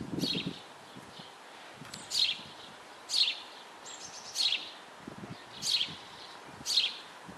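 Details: Nearly fledged Eurasian blue tit nestlings in a nest box during feeding, May 2012: six brief high chattering bursts, spaced roughly a second apart, with low rustling and scraping between them.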